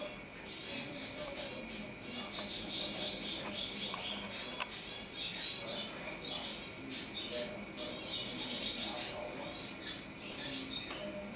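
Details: Great tit, recorded 29 October 2012: rapid, dense bursts of high, thin chattering notes, many per second, with short ticking elements over a steady low hum and faint background noise.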